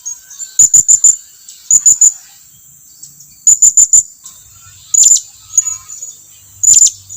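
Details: Blue-crowned hanging parrot calling to draw its companions nearer, giving shrill, piercing high notes in tight runs of three or four, with a few single squeaks between the runs.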